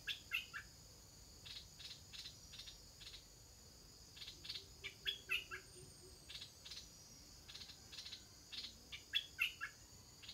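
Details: Shortly before leaving the nest, stripe-throated bulbul chicks call in short clusters of high, twittering chirps spaced irregularly through the recording, against a continuous high-pitched insect buzz.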